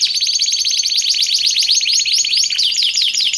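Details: Canary song used for training and luring canaries: a steady high trill of fast repeated notes, joined by a regular series of sharp downward swoops roughly four per second.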